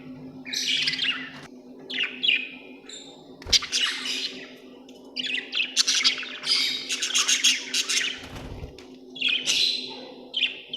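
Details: Budgies chirping in scattered bursts of buzzy warbles and harsh squawks, growing denser midway, with a steady low hum and a couple of thuds.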